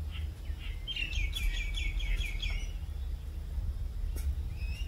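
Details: Rainbow lorikeet, an Australian parrot-like bird: a quick run of high, chirpy notes over about a second and a half, then a few scattered single notes, over a steady low rumble of background noise.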